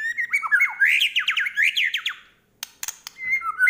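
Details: Medan-type white-rumped shama in lively full isian song: a rapid tumbling run of bright slurred whistles and trills for two seconds, a short pause with clicks, then a lone drawn-out whistle.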